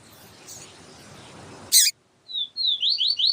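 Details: Yellow-bellied seedeater teacher recording with a female calling to warm up the male. Background hiss and a sharp click come first, then several drawn-out and slurred high whistled notes begin the song.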